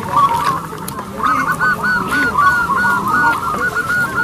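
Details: Local zebra dove kept as a lure bird to prompt others to sing, with a loud, long, crystal-clear voice: a quick, even run of short cooing notes repeated several times a second, over a steady din of many other calling birds.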